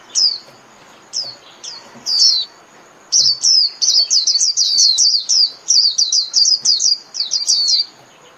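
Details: Japanese white-eye singing to call the flock: a few spaced high chirps, then a rapid, continuous twittering run of thin descending notes, roughly one per third of a second, high and bright.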